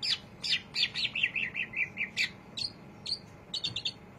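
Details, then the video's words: Greater green leafbird chattering steadily in ngriwik style: a quick run of bright, high chirps, about two or three per second, some sliding down, over a faint low hum. "cucak ijo rajin ngriwik"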